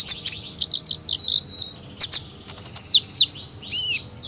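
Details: Squeaky high twittering from a hummingbird: rapid jumbled chirps and short buzzy slurs, a few sharp ticks, ending in a longer, rising-falling whistled note.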